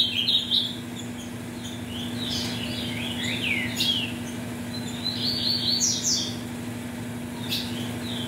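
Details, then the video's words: Caged ultramarine grosbeak of the metralha song style, offspring of mutation parents, sung to warm birds up for tournaments: rapid warbled, sliding phrases in quick bursts, mid to high pitched, over a steady low electrical hum. "ESQUENTE seu AZULÃO em 5 MINUTOS"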